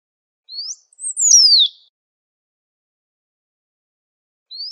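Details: Great pampa finch singing in nature: a short rising whistle, then a high slurred note that drops into a long descending whistle, with the next phrase starting at the end; no other sounds.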